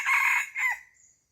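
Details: Chicken on a farm letting out a loud, hoarse squawk in two bursts, the second shorter and falling away, with a faint high insect tone behind it.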